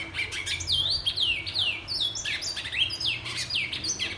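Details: Steady, energetic whistling by a Black-and-white seedeater: repeated high notes that dip and sweep, delivered in quick succession throughout, against a quiet low hum.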